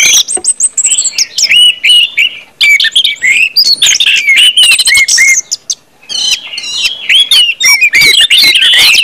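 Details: Loud 'ngeplong' song of an orange-headed thrush: rapid warbles, high whistled notes and clicking bursts in long runs, separated by two brief quieter gaps.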